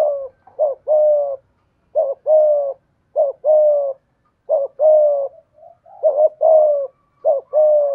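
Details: Decoy spotted dove calling in the 'giọng thổ' voice style: low, mellow coos in pairs, a short hoarse note followed by a longer falling coo, repeated about every second with brief gaps; no other sounds.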